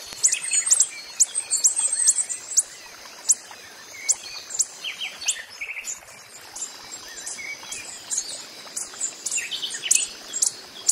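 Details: Wild coppery-headed emerald giving sharp, very high chip notes in irregular bursts, mixed with other bird twitters and a steady high background hum.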